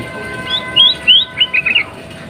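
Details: Breeding-condition female sooty-headed bulbul calling to prompt males to sing: a brief run of bright, slightly rising slurred notes ending in quick chattering chirps, over faint hum.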